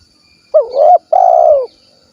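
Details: Spotted dove, 'kuk 1' type, recorded in Cilacap, Central Java, Indonesia. It gives a single two-part call: a quick undulating coo, then a longer, steady, mellow note that falls away. The background is silent.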